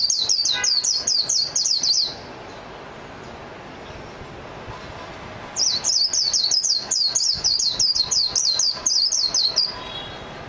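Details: Japanese white-eye delivering two long runs of rapid, high, sliding chirps, a short phrase then a longer four-second twittering stream after a pause, with a clean quiet background.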